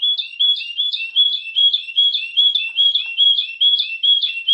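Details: Canary singing steadily on a master recording made for training other canaries: a fast, regular trill of paired notes, a high whistle dropping to a lower chirp, repeated about twice per second throughout.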